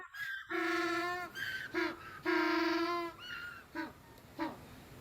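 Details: Penguin ecstatic display call, in which the bird almost sings, distinct from the contact call partners use to find each other at the nest; loud braying, harmonic-rich honks, long drawn notes alternating with shorter ones, ending in a few brief bursts.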